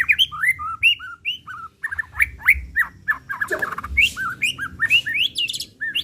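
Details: Pistol type murai batu (white-rumped shama) in a lure song meant to excite the bird and open its repertoire: a continuous flow of bright whistled slurs and rising sweeps, with harsh clicks between phrases.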